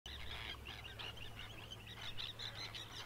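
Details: Red (grey) phalaropes, rare breeders in Iceland, filmed at the nest site in breeding season, give a rapid, overlapping chatter of sharp, high twittering notes, several per second, over a low steady rumble.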